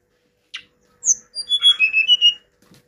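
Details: Hill blue flycatcher: a short harsh note, a bright descending whistle, then a sweet warbling run of level whistled notes at varying pitches, repeated about five times per second.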